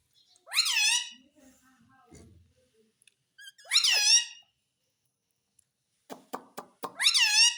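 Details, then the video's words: Parrot that talks, saying mummy and papa: three separate harsh, buzzy word-like phrases with soft low mumbling and a few sharp knocks in between. "मम्मी पापा बोलने वाला तोता _ Mummy ka Pyaara Mitthu _ Parrot Talking Video"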